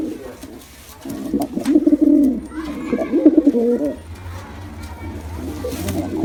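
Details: Male and female pigeons giving two bursts of fast, throaty, rolling coos, separated by quieter stretches with a faint low hum.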